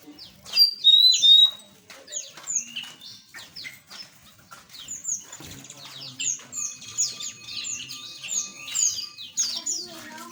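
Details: Small birds in an aviary, a burst of clear whistled notes followed by steady, rapid high chirps and tweets from many birds, with faint wing flutters and a low background hum.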